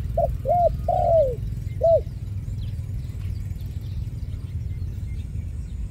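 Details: One cooing phrase from a trapped ground dove: a brief note, two arched hoots and a longer downward-sliding coo, then a last short coo, followed by several seconds of low rumbling noise.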